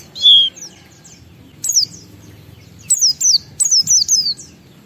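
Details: Caged Oriental white-eye giving a lure song for prompting other white-eyes to sing: a single loud high slurred note, then short clusters of three or four sharp descending whistles separated by quiet gaps.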